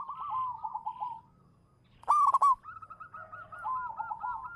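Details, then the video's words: Local zebra dove singing manggung as a lure: soft trilling coos, a pause, then one loud crackling rolled coo, followed by a long series of rapid, bubbling repeated notes. "suara burung perkutut lokal manggung juara pancingan"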